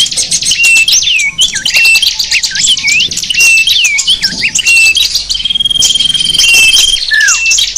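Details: Small birds singing in a sapu jagat lure mix used to attract wild small birds; busy high twittering with looping whistled notes, then a long steady high whistle and a final descending slur.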